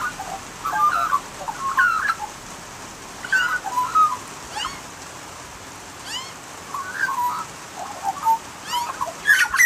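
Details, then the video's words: Australian magpie singing: flutey warbled notes and short gurgling phrases come in scattered bursts, with sharp stacked squeaky calls rising between them over a steady hiss. "Nonstop Australian Magpie Sounds and Calls | Unbelievable Magpie Singing!"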